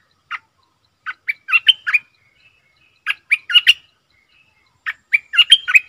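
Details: Streak-eared bulbul kept as a decoy to attract wild birds: the same bubbly, chattering phrase given three times, about every two seconds, each a quick run of six or seven bright notes.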